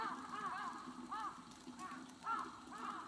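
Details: Steller's sea eagle, recorded 23 March 2022: short arched yelping notes with rich overtones, about five in three seconds, over a steady low background rumble.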